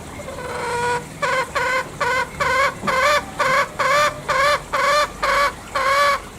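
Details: Green junglefowl from Bali giving a long run of about twelve short, hoarse, harmonic calls, each a clipped cackling note repeated roughly every half second after a faint opening tone, over a quiet background.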